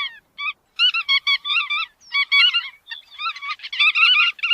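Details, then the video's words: Chắt đuôi vằn bird giving bursts of nasal, wavy, harmonic notes in quick chattering runs separated by short pauses, growing denser toward the end. "Tiếng Chim Chắt Đuôi Vằn"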